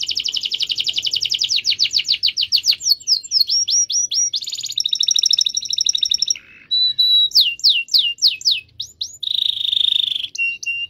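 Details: Canary song used to prompt silent canaries to sing: long rolled trills of rapid repeated notes, shifting into fast downward-sweeping whistled phrases, a buzzy section, and sharp high slurs.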